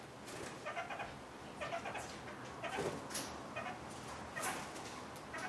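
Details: Captive red-crowned parakeet (kakariki) eating bird pizza gives short, nasal, chattering calls about once a second, some mewing and cat-like, over a steady rustling background.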